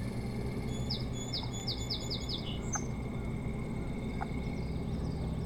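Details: Osprey at the boat house nest cam on Hog Island, Maine, 25 July 2018 around nine in the morning, giving about six sharp, high, descending whistled chirps in a rapid run, followed by a few faint clicks over steady low hum.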